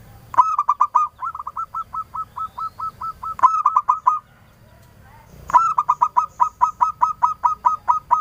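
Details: Zebra dove, a local Indonesian bird used as a lure to draw answering calls, giving rapid stuttering coos: a long rolling phrase, a short burst, then another long evenly pulsed run in a quiet setting.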